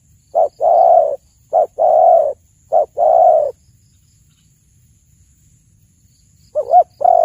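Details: Spotted dove singing, recorded as a hunting lure: three quick pairs of short note plus long mellow coo, a pause of about three seconds, then the phrase starting again with a wavering double note.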